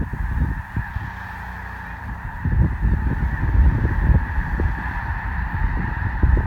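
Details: Large migrating flock of snow geese at Columbus, Nebraska produces a dense, ceaseless clamour of honks, rising slightly in intensity midway, over heavy low wind noise.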